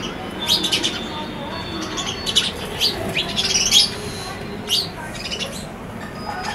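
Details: Several sparrows on a balcony trading quick, high chirps and short twittering runs, busiest in the first four seconds, then thinner, scattered notes over faint background hum.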